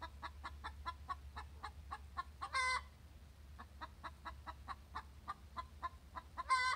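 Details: A hen sings her egg song after laying an egg: a rapid run of clucks, about four a second, twice ending in a loud, drawn-out squawk, over a low background hum.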